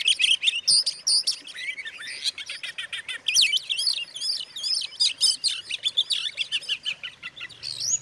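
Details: Oriental magpie-robin song meant to goad rival magpie-robins; fast, crowded sequence of piercing whistles, trills and clicking chatter, loud and continuous throughout.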